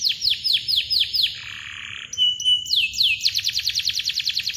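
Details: Canary chirps and tight long rolls used for training quiet birds: spaced descending cuit notes, a short buzzy blur, a held whistle with clicks, then a rapid, regular trill of falling notes.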